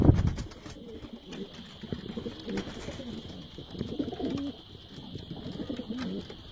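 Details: Several soft, throaty pigeon coos from birds kept for sale, each a short wavering low phrase repeated every second or so, against a constant high-pitched hum and a sharp thump at the opening.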